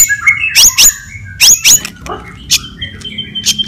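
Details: White-rumped shama fighting song to provoke other shamas, with paired loud high buzzy notes and whistled tones, followed by softer scattered chips.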